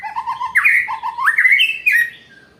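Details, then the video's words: White-rumped shama singing a challenging song: clear whistled phrases, low fluty notes near the start, then a series of rising, sliding whistles climbing higher, ending in a bright downward-bending note. "Murai menantang"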